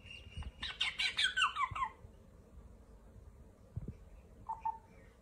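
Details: Parrot gives a fast burst of scratchy, squeaky notes that slide downward over about 1.3 seconds, followed by quiet low rumbling and a single short whistled note near the end.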